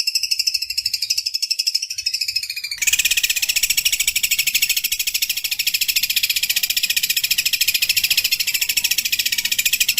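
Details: Long-tailed shrike master track with 'tengkek buto kunti' and 'gereja tarung' phrases: a scratchy pulsed phrase cuts abruptly into a louder, denser, continuous high chatter lasting seven seconds.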